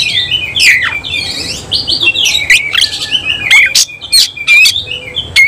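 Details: Oriental magpie-robin of the semi cililin variety singing with its tail fanned; a fast, warbling stream of looping whistles and slurred notes, sharp chips running through it.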